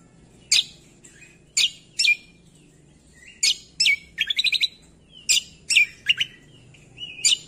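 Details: Cucak kombo, common green magpie, singing in a recording meant for training songbirds: spaced harsh, rasping notes, then a quick rattling burst of short notes, and further scratchy calls every half second or so.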